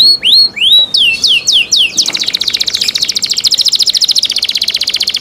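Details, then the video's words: Canary sings a cenkok-style phrase of several loud upward-curving whistled notes, then switches to a long, very fast rattling trill that continues to the end. "LUXURY CENKOK CANARI SOUND, CLEAR SOUND"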